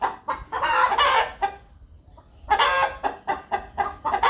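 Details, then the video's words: Clucking rooster on a farm: a quick run of gravelly clucks, a short quiet pause, then another rapid, evenly spaced series of short clucks. "Rooster Clucking"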